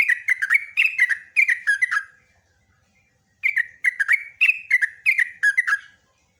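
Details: Yellow-vented bulbul singing gacor ropelan, a long chattering run used to draw replies from other bulbuls. Two bouts of rapid bubbling whistled notes, each about two seconds, split by a pause of roughly a second.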